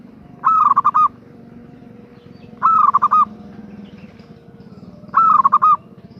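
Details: Female zebra dove (perkutut) calling to a male: three cooing phrases about two seconds apart, each a held coo breaking into quick stuttering notes, over a low steady hum.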